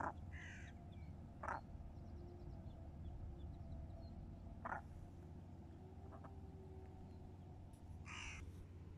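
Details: Great crested grebe accompanied by chicks, Pärnu, mid-morning on 17 June 2024: scattered short grating calls near the start, middle and end, with soft clicking notes between and a constant low rumble.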